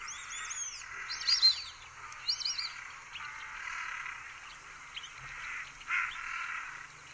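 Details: White-faced Whistling-Duck at Sonso Lagoon, a tropical dry-forest wetland near Buga, Valle del Cauca, Colombia, gives clear, high whistled notes in two quick bursts, arching and falling, over a steady hiss of insects and distant birds.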